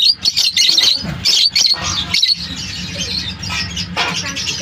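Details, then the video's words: Lovebirds at a lovebird farm chirping: shrill, scratchy squawks and rapid chirps in irregular bursts over a steady low hum. "Lovebirds chirping sound"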